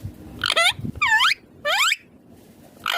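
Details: Green ringneck parrot, a pet described as talking, repeats harsh harmonic downslurred squawks about every half second, three in a row and a fourth beginning.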